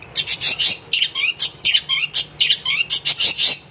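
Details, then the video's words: Continuous, busy long-tailed shrike song: harsh high notes given about every half second, interwoven with slurred mid-pitched whistles and quick ticking, over a soft low hum. "kicauan cendet gacor"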